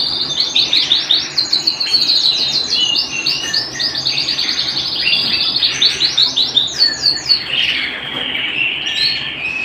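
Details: Canary singing at home, loud rhythmic series of fast repeated high notes in pulsing trills, several notes per second, followed by a lower warbled passage at the end.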